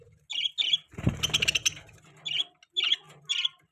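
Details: Budgerigar chirps, short high squeaky notes in paired bursts, interrupted in the middle by a loud, low thud and rattling noise before the chirping resumes.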